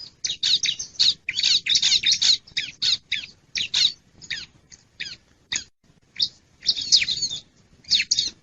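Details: Lure recording of a wild bar-winged prinia used to draw in wild birds: a long series of rasping, scratchy high chips, bunched in irregular clusters with short gaps throughout.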